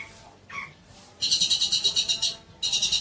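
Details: Long-tailed shrike song used to train young birds: a faint rasping note, then two bursts of rapid, buzzy, pulsing high trill separated by a short gap.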